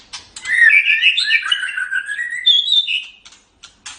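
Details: White-rumped shama singing, recorded for tutoring other songbirds: a continuous rich, fast warble of bright twisting whistles that climbs higher and ends in a few sharp clicks.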